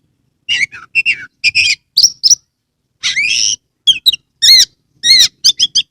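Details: Singing caged Oriental magpie-robin, tail spread, from Kebumen, Indonesia, used to stimulate birds that will not sing. Loud phrases of short warbled notes, a long buzzy rising note, then arched whistles repeated in quick succession.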